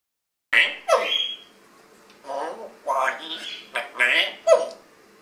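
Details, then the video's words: African grey parrot reciting the mantra Om Mani Padme Hum indoors in a small room: a few clipped, voice-like syllables in short bursts with pauses between, speech-like mimicry rather than natural calls. "African Grey reciting Om Mani Padme Hum"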